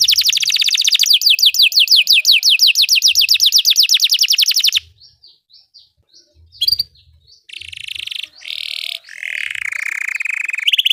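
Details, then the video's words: Belgian canary delivering a long rolling trill of quick falling notes, then a pause with soft chips and a few buzzy, rattling rolls at the end. "Belgian canary singing makes your canary sing"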